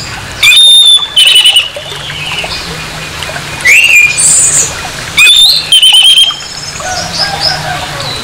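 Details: Orange-headed thrush in harsh provoking song: loud bursts of whistled, rasping phrases about every one to two seconds, separated by quieter gaps with faint distant notes.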